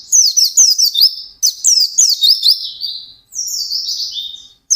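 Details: White-eye singing intensely in a fast, sustained style: very high, rapid twittering made of quick down-slurred notes in dense bursts, a brief pause, then another run trailing into a lower, smoother warble.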